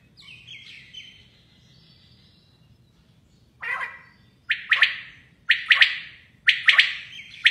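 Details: Female common quail calling, sharp chirped notes in short clusters of two to four, repeated about once a second and growing louder, with an earlier fainter whistled note and a quiet low background hum.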